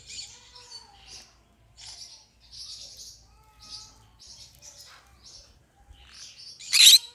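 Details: Green-cheeked conure producing a long run of soft buzzy chattering notes and faint thin whistles, ending in one loud harsh squawk.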